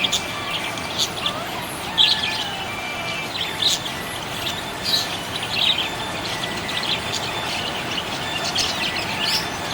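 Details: A happy budgie chirps in scattered, sharp high notes and short twittering runs spread unevenly across the stretch, against a continuous noisy background.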